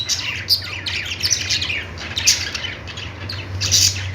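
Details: Budgies chirping: sharp, bright tweets and buzzy warbles scattered through the clip, with louder bursts near the start, middle and end over a steady low hum.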